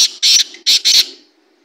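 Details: Black francolin, locally called kala teetar, giving a loud, harsh, rasping call of four short grating bursts in two close pairs, fading out after about a second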